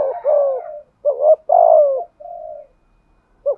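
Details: Spotted dove used as a decoy, with a 'giọng thổ' voice, cooing in 'thúc gù' manner. A long falling coo, then a stuttered pair and a further long coo, a flat soft note, and the start of another phrase.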